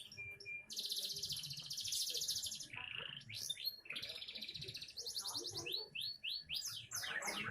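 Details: Young canary in full song: long buzzy high trills of rapid repeated notes, then series of rising whistled slurs and sweeping phrases, fast and continuous.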